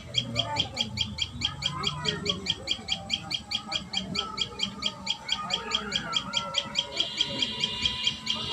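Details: Common tailorbird at its nest, recorded live: a rapid, steady series of short high sharp notes, about four each second, running throughout with faint lower background sounds.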